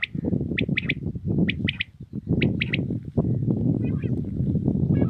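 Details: Common quail singing in the early morning in Pakistan: three quick, bright notes per phrase, repeated about once a second, over a heavy low rumble of wind or handling noise.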